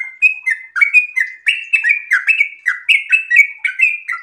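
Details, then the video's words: A sooty-headed bulbul in breeding condition gives its long, rapid 'ropel' song. Short bubbly whistled notes alternate between higher and lower pitches in a fast, chattering sequence. "trucukan gacor birahi ropel super panjang"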